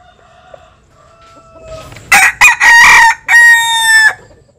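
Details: A Jap Cuban bantam rooster sunbathing in the countryside gives a loud crow. A faint, thin tone comes first. Then four strong, ringing syllables follow in about two seconds, with the last one long and steady before it fades.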